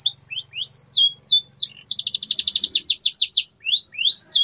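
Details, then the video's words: Canary in full song for encouraging silent birds to sing: rising and falling whistled notes, then a fast, even trill of crisp repeated notes, closing with more rising whistles. "CUITAN KENARI 100% GACOR PERANGSANG KENARI BISU AGAR KEMBALI GACOR"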